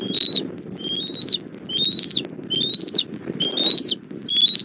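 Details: Southwest Florida bald eagle nest, 1 April 2024 at 17:30, with the mother bringing food for her chick: a rapid run of six high, slightly rising whistled notes, roughly one a second, over a constant low rumble.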